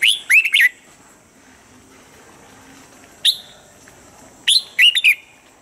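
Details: Red-whiskered bulbul singing a model voice for morning training: three short bursts of bright chirped, whistled notes with quick rising and falling slurs, separated by pauses, over quiet background hiss.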